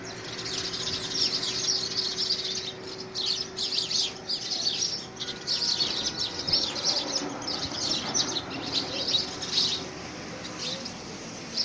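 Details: Early February 2017, house sparrows in a spirited fight for a homemade nest box; a long, lively run of piercing overlapping chirps, briefly thinning near the middle before picking up again.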